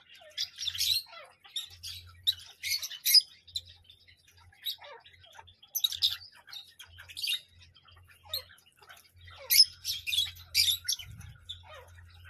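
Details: Parrot chattering in scattered short rasping notes and squeaky calls spread across the recording, quieter gaps between, with an intermittent low hum in the background.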